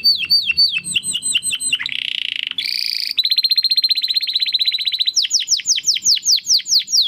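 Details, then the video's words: Domestic canary in full crystal-voice song, kept as a master recording for tutoring competition birds: rapid repeated high down-slurred notes, then a buzzy rattle, a bright whistled roll, and a final series of sweeping slurred whistles, with faint low background hum. "Kenari Gacor Suara Kristal Buat Masteran Burung Gantangan"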